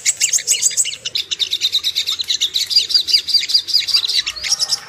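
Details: Ruby-cheeked sunbird, a recording played to provoke aggression and breeding arousal: quick, sharp, high twittered notes, with a run of piercing repeated whistles in the middle section.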